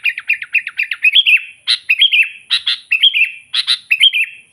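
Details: Sooty-headed bulbul song for luring wild bulbuls and angering rivals: a rapid series of short descending notes, then alternating crackly chatters and rising-falling warbled phrases at roughly one-second intervals.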